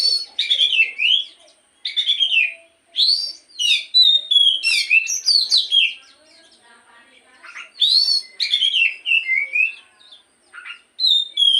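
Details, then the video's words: Oriental magpie-robin (kacer) morning lure song, played to get birds to sing often: rich whistled phrases with rapid falling slurs and trills, given in bursts separated by short pauses. "pancingan Kacer di pagi hari agar burung Kacer rajin bunyi dan cepet gacor"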